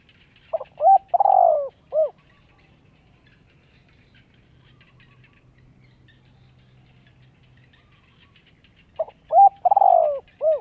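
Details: Spotted dove calling to lure wild doves and train young birds' voices: a low cooing phrase of a short note, a hooting coo, a long falling purred coo and a rounded final coo, heard twice with a long quiet gap between.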